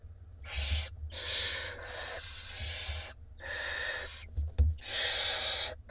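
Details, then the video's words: Barn owl nestlings, six hungry young in a nest box camera in Israel on 17 April 2021, being fed by their mother; long harsh hissing screeches overlap in rough bursts of about a second, with low rumbling below. "Mom feeding her hungry 6 nestlings in the תנשמת LIVE Barn Owl Israel Cam"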